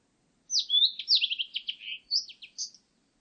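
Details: Blue-and-white Flycatcher from a 2020 recording: a single clean, rapid phrase of sweet slurred whistles, several notes sliding downward in quick succession, then a short pause and two high, thin closing notes, with a silent background.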